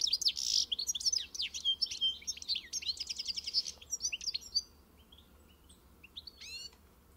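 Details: Pintassilgo, or European goldfinch, delivering rapid high chirps and twittering trills for four seconds, then falling quiet except for a couple of faint sharp notes near the end.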